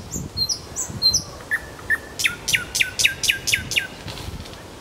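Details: Nightingale in Kuzminki forest park gives a few thin high whistles, then a bold series of loud, clicking notes repeated about four times a second.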